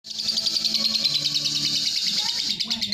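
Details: Lovebird in a long chattering bout, a continuous rapid high twittering that pulses without a break, over a low steady hum.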